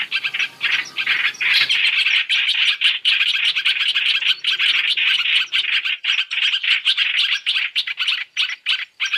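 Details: Chinese hwamei trapping lure, three-in-one mix: busy, raspy chirping that settles into evenly pulsed bursts of chatter with short gaps between them.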